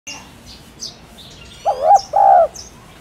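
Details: Spotted dove cooing: after a second of faint background chirps, one phrase arrives, a short wavering note then a longer, steady, hollow coo. Thin high chirps of small birds are heard throughout.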